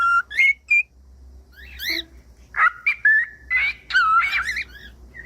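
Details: Cockatiel whistles and chirps used to encourage a pet bird to sing: a few short rising whistles, a harsh descending chirp, then a tangle of warbled whistled notes and buzzy calls.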